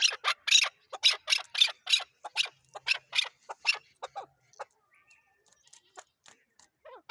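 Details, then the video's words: Chukar partridge from Pakistan: rapid harsh clucking series for about four seconds, then fading into scattered faint notes and near quiet. "chakor ki awaz zark awaz chakor voice chakor.sound"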